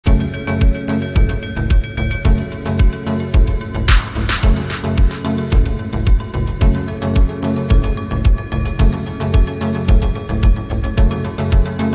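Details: Loud electronic music with a steady throbbing beat plays throughout, with no animal voices heard.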